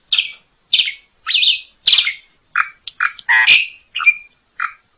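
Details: Asian pied starling voice from a tutoring track with lavish fills, made of separate scratchy chattering notes, some harsh and high, others lower and nasal, spaced about half a second apart.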